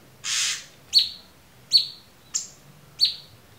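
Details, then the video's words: Cucak cungkok singing clearly as a tutor recording: a brief noisy burst followed by four short, sharp, downward-sweeping chirps roughly every 0.7 seconds over a quiet background. "MASTERAN AMPUH CUCAK CUNGKOK suara jernih"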